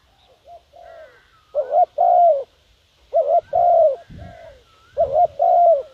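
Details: Lure call of a decoy spotted dove aimed at wild doves: soft short coos, then three loud phrases, each a quick double coo and a sustained mellow coo, with a brief low thump near the middle.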